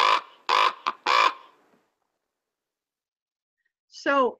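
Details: A Common Raven gives four hoarse, low croaks in quick succession, then after a pause a brief falling, voice-like sound. Its call is much lower-pitched than a Tufted Titmouse's song.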